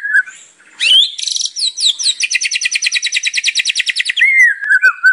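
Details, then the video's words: White-rumped shama singing actively with a full, varied repertoire, used as a lure song: a rising whistle leads into a long fast series of buzzy, evenly repeated notes for about three seconds, ending in a falling slurred whistle. "SUARA MURAI BATU GACOR FULL ISIAN | PANCINGAN MURAI BATU GACOR"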